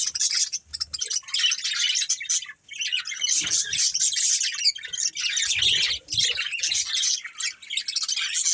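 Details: A family of budgerigars keeps up lively, overlapping chirping and chattering, with a few dips in loudness and faint low bumps in the background.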